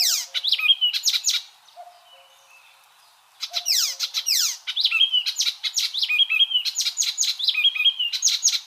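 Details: Icterine warbler (Hippolais icterina), song.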